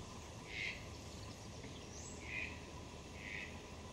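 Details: A young great kiskadee (Pitangus sulphuratus), hatched and growing up free in a garden, gives three short, harsh, buzzy calls spaced unevenly over a few seconds, over a steady low rumble.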